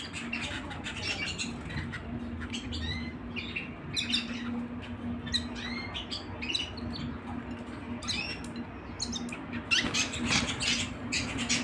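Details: Canary singing at home: a dense run of quick chirps, trills and upswept whistled notes, high and bright, with overlapping birds and a steady low hum underneath throughout.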